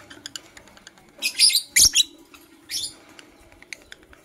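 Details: Lovebirds, blue opaline and parblue euwing opaline, chirping in the morning: a few harsh, shrill chirp bursts clustered mid-clip, with faint soft ticks and clicks scattered before and after over a low steady hum.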